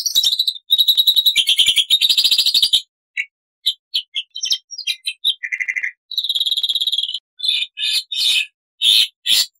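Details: Black-winged starling in full song, mixing long and short bursts: a long harsh chattering rattle, then scattered sharp chips and buzzy notes, a steady whistled trill, and loud rasping calls at the end.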